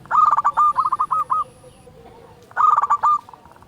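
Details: Loud song of a local zebra dove, played to rouse other doves and raise their breeding urge: a long chattering phrase of rapid staccato coos, a pause, then a second, shorter burst.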